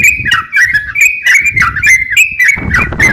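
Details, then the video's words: Crocok-cokan singing actively, used as a master song for training songbirds: rapid chattering run of short whistled notes with quick slurred rises and falls, repeated several times a second, with brief pauses and a faint low rumble beneath. "crokcokan gacor siap jadikan masteran kicauan"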